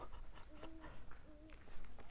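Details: Evening in the mountains beside rushing water: two low, steady hooting notes, each about a third of a second, which a listener suggests is a great horned owl; Great Horned Owl.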